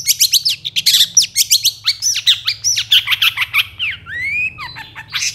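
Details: Long-tailed shrike song used as a lure to provoke lazy shrikes into answering and singing: a fast, busy stream of high scratchy chirps, buzzy notes and short whistled slurs, with a few longer rising and falling whistles near the end.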